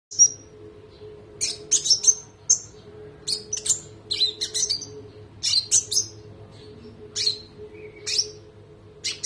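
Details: Konin, a spotted (trotol) Indonesian songbird, kept and used as a training bird, singing a long rolling song: sharp, very high chirps and short bursts in irregular clusters, over a steady low electrical hum.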